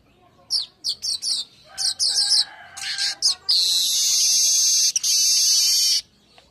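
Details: Weaver singing at midday, kept as a lure and master recording for training birds: bursts of high, sharp chattering chirps, then a long, loud, buzzy wheeze held for about two and a half seconds.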